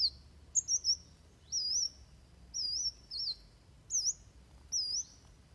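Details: Fighting song of Van Hasselt's sunbird, meant for training other birds: brief high, wavy whistled phrases about one second apart, each a thin looping trill.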